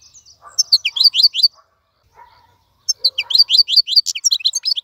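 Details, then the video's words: Wild-caught European goldfinch kept in a cage, singing nonstop in a clean voice: two bursts of bright, high, twittering notes separated by a short gap with a few soft lower sounds. "مقنين خلوي يغرد بصوته النظيف, تغريد حسون بري دون توقف"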